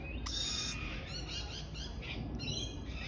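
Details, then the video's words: Baby lorikeet chirping: short harsh raspy notes repeated in quick series, each a buzzy broadband burst, with steady low background hum. "Cute baby Lorikeet chirping"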